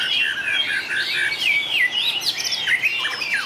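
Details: White-rumped shama singing in a contest, a long varied song with frequent voice changes: rich whistled phrases, slurred rising and falling notes and rapid chattering trills, continuous and loud throughout.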